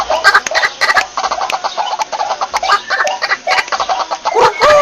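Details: White-breasted waterhen calls played as a lure for trapping: a dense, loud, continuous chatter of harsh, clucking, overlapping notes without pause for nearly five seconds.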